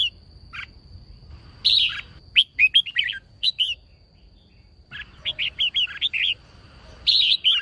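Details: Female red-whiskered bulbul singing to excite males: a lone chirp, then lively runs of warbled, bubbly notes in three phrases, the last longer and faster, with a constant faint high whine.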